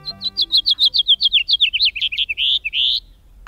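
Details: House Finch song in the breeding season, United States: a raspy, tumbling, jumbled warble of about twenty quick high notes runs for three seconds and ends in a sharp, drawn-out buzzy note; faint tones sound briefly at the start.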